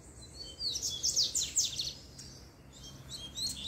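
A Double-collared Seedeater sings a quick, high twittering run of sharp, down-slurred notes in two bursts, over a faint low hum.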